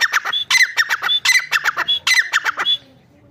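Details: Grey francolin, known locally as teetar, giving a loud, harsh series of rapid squawking notes, roughly four per second, with short whistled upper tones, ending abruptly after about three seconds in a quiet indoor-sounding setting.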